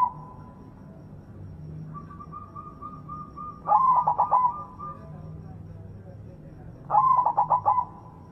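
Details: White zebra dove with a big voice, used to coax other zebra doves to sing: a long steady whistled tone, then two rippling phrases of rapid pulsed coos roughly three seconds apart.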